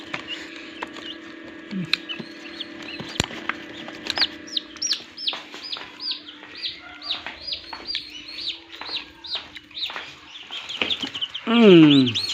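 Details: Hatching turkey chicks in a farm incubator in Assam give a long run of high, piercing peeps, many sweeping downward, coming every fraction of a second beside a constant machine hum, then a loud, low, falling buzzy sound at the end.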